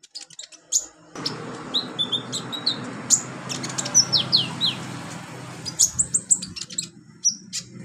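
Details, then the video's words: Olive-backed sunbird song intended for training beginner birds: thin high chips and a series of quick falling whistled notes, fast and jittery, over background hiss and low hum. "MASTERAN KONIN/KOLIBRI NINJA buat konin pemula cepat gacor"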